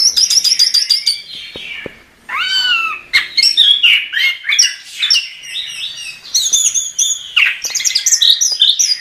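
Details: Gacor song of a chestnut-capped thrush, a masteran tutor recording: a fast rattling series of high notes, then a short pause and a swooping whistle, followed by varied chirps and trills.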